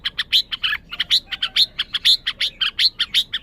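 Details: Red-whiskered bulbul delivering loud, rich chirps in quick succession, roughly five per second, each a full-toned note with a bright whistled edge and no gaps of silence.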